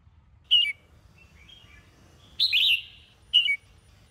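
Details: Morning song training of a caged Sông Kôn red-whiskered bulbul, with a short chirped phrase, a longer buzzy warbled note, then another brief bright chirp, all widely spaced.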